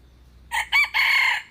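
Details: Red junglefowl crowing: a loud three-part crow with a short first note, a brief rising second note, and a long, harsh, level final note held about half a second. The background is quiet apart from a low hum.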